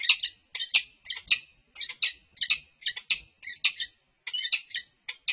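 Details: Resident peregrine falcons at UC Berkeley in courtship display, giving hoarse, chittering calls in groups of two or three notes, repeated steadily with short gaps, loud and clear.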